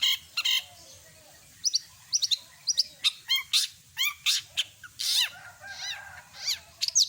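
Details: Long-tailed shrike singing a full mimicry song of other birds: clear varied whistles, sharp downslurred notes and rapid chirps in quick bursts, with short pauses between phrases.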